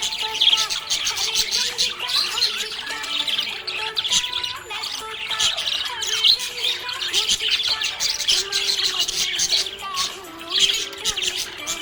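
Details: A happy budgerigar chirps and chatters in fast, scratchy, high warbles over background music.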